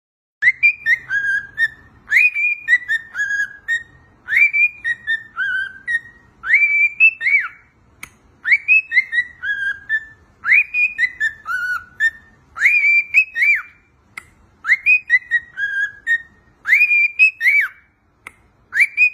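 A cockatiel whistles a clear, looping tune of rising and falling phrases, repeated several times.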